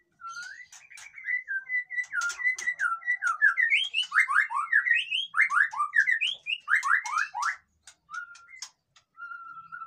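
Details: Captive white-rumped shama song, played to rouse reluctant birds: steady whistled notes, then a fast run of rising slurred whistles repeated over several seconds, ending in soft level whistles.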